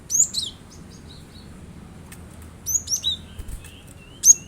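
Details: Glatik batu, or cinereous tit, used to make a kept bird join in: loud, piercing high chirps open the sequence, then a quieter spell, then a rapid run of sharp sweeping notes and a final bright chirp.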